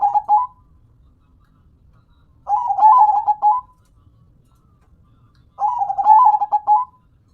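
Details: Local perkutut, or zebra dove, sings long cooing phrases of rapid staccato notes about three seconds apart, each phrase rising at the start and ending with separated beats.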